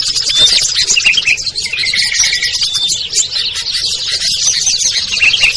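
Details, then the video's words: Small-bird luring sound featuring ciblek, kutilang, trucuk, sogon and perenjak: frantic high twitters overlap continuously, joined by a drawn-out level whistle in the middle and sharp rising notes at the start. "SUARA PIKAT BURUNG KECIL burcil AMPUH"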